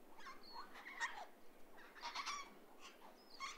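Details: Flock of pink cockatoos swinging on an old telegraph line, giving harsh, quavering, screechy calls in short overlapping bursts, with brief pauses between groups of calls; a quiet background.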